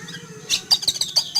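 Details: Oriental magpie-robin kept in a cage and sunned in a yard, calling in alarm at a flying eagle: a string of quick, high, sharp chirps repeated several times within a second.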